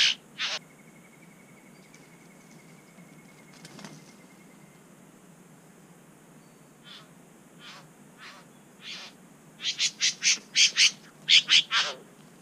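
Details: Satin bowerbird (Ptilonorhynchus violaceus) at its bower in NSW, Australia, as a third bird arrives and the bower owner charges and pecks the camera, then tidies his bower: harsh, rasping notes, scattered, then a quick run of about ten churring bursts over a faint hum.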